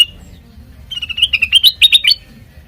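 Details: Sooty-headed bulbul singing, used as a lure for training other birds: a faint opening whistle, then just over a second of quickening chirps climbing in pitch before stopping.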